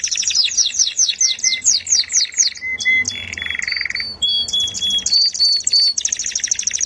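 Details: Canary singing sweetly: a continuous, varied song of rapid repeated notes, first fast descending sweeps, then buzzy trills, steady whistled tones and clicking rattles, shifting phrase every second or so with no pauses.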